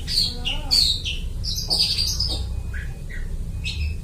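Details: Imitative song of a long-tailed shrike, used to lure birds: loud grating squawks and chatter, then thinner short whistled notes, with a low background hum.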